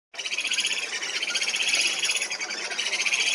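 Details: A Purus jacamar (Galbalcyrhynchus purusianus), recorded on an expedition in Acre, Brazil, gives a high, rapid, unbroken chattering trill for over three seconds, with layered pulsing notes.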